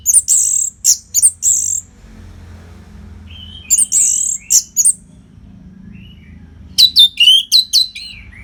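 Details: Continuous masteran singing of an orange-headed thrush, used to train fighter birds. Loud clusters of piercing high notes come in three bursts separated by quiet gaps, and the last burst ends in descending slurred whistles.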